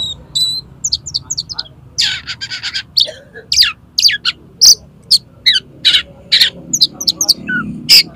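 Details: Oriental magpie-robin in konslet-style song, played to get another magpie-robin to open its tail: a dense, rapid series of harsh buzzy notes and sharp chirps, almost continuous over a soft background rumble.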